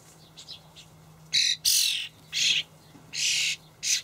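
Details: Common starling fledglings begging as adults feed them in a Hamburg allotment garden, May 2012: five loud, scratchy, broadband screeches in quick succession, each under half a second, over a constant low electrical hum.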